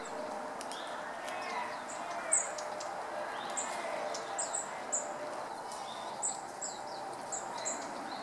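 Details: Wild red-billed leiothrix in a Japanese park, recorded on a November 2012 afternoon with a compact camera: thin, very high single notes sound every second or so, faint against a soft, breathy park background.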